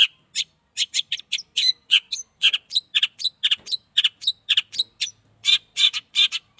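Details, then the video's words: An eight-month-old Long-tailed shrike, caged and being sunned for the first time, mixes rasping notes with short whistled slurs in an uneven, lively sequence. "cendet paud 8 bulan..jemur perdana"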